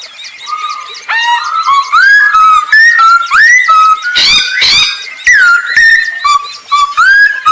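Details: Masked laughingthrush in lively song, used to lure other birds into singing: a string of clear whistles stepping up and down in pitch, broken midway by two loud harsh rasping bursts.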